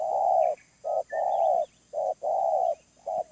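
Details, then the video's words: Close, loud wild spotted dove with a medium-pitched voice: broad, hollow coos alternating short and long, about two per second, with faint thin bird notes in the background. "Tekukur Liar // Suara Menengah"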